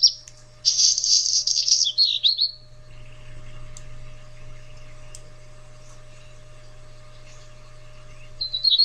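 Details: Black Redstart song, sung from a perch such as a roof. The song is a quick chatter. A bright, high, crackling and buzzy strophe lasts about two seconds, then near silence follows, and a brief high note comes at the end.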